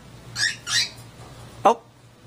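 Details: A cockatiel, one of a pair, gives a two-part wolf whistle just after mating, a rising note then a falling one, followed by a short squawk.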